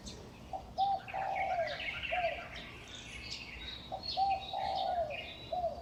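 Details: Recorded at dawn, about 5:25 am, May 2019, in a Taipei residential lane near National Chengchi University: two repeated low cooing phrases, each several notes long, over a steady background of high twittering from other birds.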